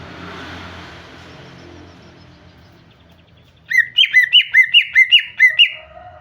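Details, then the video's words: Female cucak ijo, greater green leafbird, calling to draw the male into song: a soft hiss fades to quiet, then eight sharp, falling two-part chirps follow in steady quick succession near the end. "Terapi cucak ijo agar bunyi"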